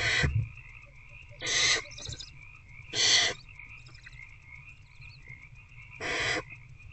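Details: At night in a nest box, a barn owl adult feeds an older owlet, 19 February 2024 shortly after 9 pm; four rasping hiss bursts, each about a third of a second, irregularly spaced, with a constant hum behind.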